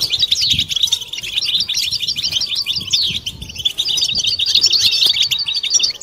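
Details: Massed European goldfinch song, the collective batbata used to stimulate mating and get quiet birds singing; a dense, steady stream of high, rapid chirps, twitters and little slurred notes fills the whole stretch.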